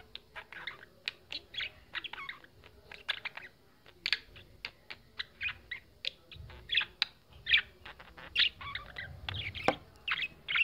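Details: Two pet budgerigars in front of a mirror, one seeing itself for the first time, chatter busily with quick, scratchy chirps and warbled twitters running together without pause.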